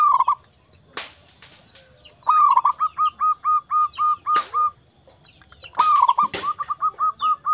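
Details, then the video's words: Vigorous local zebra dove song meant to prompt mute doves to sing: two bouts of a rolling coo followed by a steady series of about ten short hoots, over faint clicks and knocks. "Perkutut lokal gacor obatnya perkutut bisu malas bunyi"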